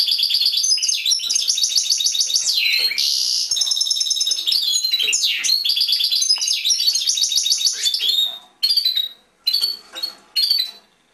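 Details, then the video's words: Caged European goldfinch singing fast liquid twitters, rapid repeated notes and two long buzzy rasps, then closing with a few isolated chirps separated by short pauses. "European Goldfinch Singing in Cage"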